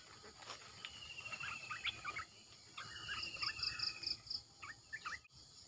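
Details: Red-eyed bulbul decoy calling: short groups of mellow, fluty notes rising and falling, separated by pauses; a high insect trill ticks briefly in the middle, with background hiss.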